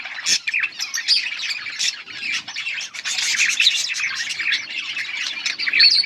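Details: A flock of yellow budgerigars recorded on 21 August 2024, chirping in lively, unbroken chatter of twittering notes, buzzy squawks and occasional clear thin whistles.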